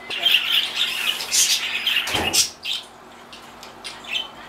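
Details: Pet hyacinth macaw indoors, said to talk on its own only when in a good mood, in a slightly good mood today: raspy, murmured speech-like chatter of rapid syllables, louder in the first half and fading to quiet mutters.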